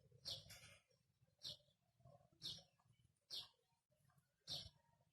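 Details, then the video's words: Ringneck parakeet giving five loud, harsh, high screeches spaced about a second apart, each a short burst, with a low background rumble between calls. "A beautiful video of a Ringneck Talking Parrot"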